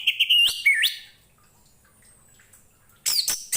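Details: Orange-headed thrush song used as tutor material for training other cage birds: a few quick whistled notes with slurred upward inflections, a silent pause, then harsh scratchy bursts near the end.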